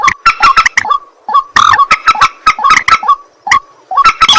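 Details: A white-breasted waterhen calls at night in dense runs of loud, honking, croaky notes mixed with rapid clicks. Short silent gaps separate the bursts.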